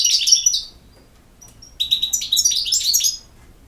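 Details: Goldfinch, European, with a short burst of high twittering, a quiet gap with a thin whistle, then a longer run of fast, chattering, jingling notes.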